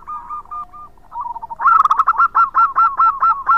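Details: Zebra dove of local stock singing loudly as a lure: quiet, broken cooing notes, then a long run of about a dozen bright, bubbling, evenly spaced coos.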